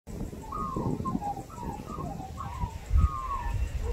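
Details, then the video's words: Female Australian magpie, a mimic with hundreds of copied sounds including kookaburras, black-cockatoos, small birds and dogs, sings a string of short warbled, wavering whistled phrases over heavy low thumping and rumbling from a companion playing with a toy. "Magpie Mimics Dogs/Birds"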